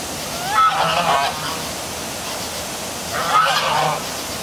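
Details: Night geese by the city hall waterfall in Milford, Connecticut, giving two separate harsh honks about three seconds apart over a constant roar of falling water.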